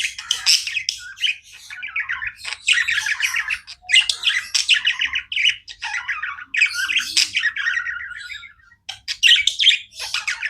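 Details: Budgerigars kept as pets chirp without stopping, a long stream of scratchy warbles, buzzy trills and harsh squawks in bursts separated by brief quiet gaps.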